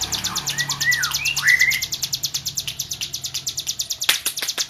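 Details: A tame hill prinia singing hard, pouring out fast, very high ticking notes in a steady series, with lower slurred whistles at the start and a few loud clicks near the end.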